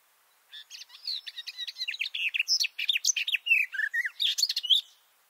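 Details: Close recording of a male garden warbler in a bush, microphones about two meters beneath him: a sustained, hurried warble of sweet whistled and grating notes, some dipping lower, delivered over several seconds.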